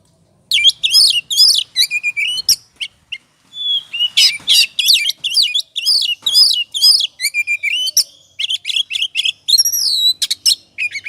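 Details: Kacer, the oriental magpie-robin, singing in 'ngobra' mode as a lure to rouse other birds. After half a second of quiet, dense bursts of sweet whistles, trills and harsh chatters follow almost continuously, with a short break near three seconds.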